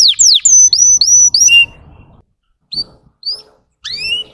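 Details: Russian canary song meant to stir untrained young canaries: a quick burst of sweeping whistled notes, then a pause and a few separate upslurred chirps.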